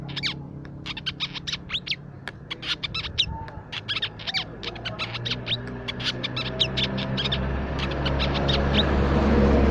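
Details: Crimson sunbird (Aethopyga siparaja) lure call: rapid, high, thin chirps and twitters, nearly three a second, over a steady low hum and a rising hiss toward the end.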